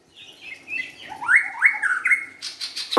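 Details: White-rumped shama singing a varied phrase of clear whistles, some sliding down and others rising sharply. The phrase ends with a few quick, harsh clicking notes.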